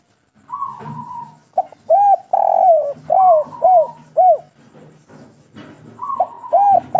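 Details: Local spotted dove singing the kuk 3 style: a drawn-out level note, then a run of low, arched coos in quick succession, ending with another long note and coos; faint low hum beneath.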